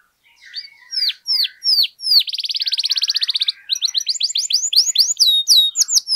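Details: Canary singing loudly and continuously, a lure recording for rousing other canaries to sing: sharp downward-sweeping whistles, then a fast buzzy trill lasting over a second, followed by rising and falling slurred notes in quick succession.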